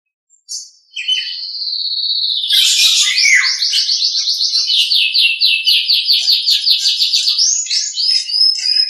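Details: Nias hill myna singing on a master recording for training other birds: a long high steady whistle, a burst of harsh notes, then a fast rippling trill of repeated notes running several seconds, ending in upslurred whistles.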